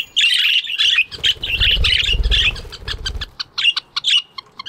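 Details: Budgerigars in an aviary in the morning, chirping busily: dense run of buzzy, warbling chirps with short breaks, several birds overlapping, a low rumble in the middle and scattered clicks near the end.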